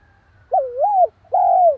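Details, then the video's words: Spotted dove cooing to provoke and stimulate another dove: a wavering, mid-pitched coo that dips and rises, then a longer, smooth, slightly falling coo after a short pause. Background is quiet, with a faint low hum. "Tiếng chim cu gáy kích bổi, tiếng gáy nghe ức chế."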